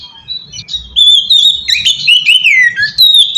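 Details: Oriental magpie-robin song used as a lure to draw other magpie-robins: loud, varied whistled phrases with sliding, rising and falling notes and sharp chirps, starting softly then continuing strongly.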